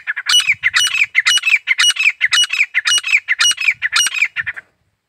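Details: Grey francolin, locally called desi teetar, calling: a loud, harsh, grating series of squawking notes in paired bursts about twice per second, steady and rhythmic for over four seconds before stopping abruptly; no other clear sounds.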